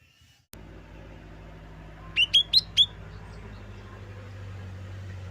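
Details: Lesser green leafbird song meant to stir green leafbirds into singing before contests: four quick, bright whistled notes in a tight burst over a steady low engine-like drone.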